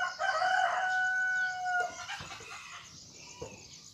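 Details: Crow from a junglefowl–Serama cross cockerel that crows diligently and likes being handled: a clear, level tone held for about one and a half seconds, then fading with faint background noise.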